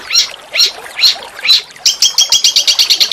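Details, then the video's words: Small songbird used as master song for training oriental magpie-robins, described as rough, harsh shooting chirps: four slurred high notes about half a second apart, then a fast run of sharp repeated chips. "masteran burung kecil"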